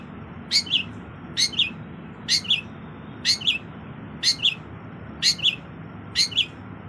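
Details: Long-tailed shrike song, offered as tutor material for other songbirds: a sharp, high double chirp repeated about once a second, seven times, with a steady low hum underneath.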